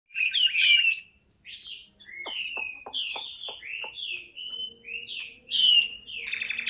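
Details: Chinese hwamei singing, a caged bird offered for sale: loud clear whistled phrases with slurred rising and falling notes, interspersed with sharp downward strokes, in short bursts separated by brief pauses.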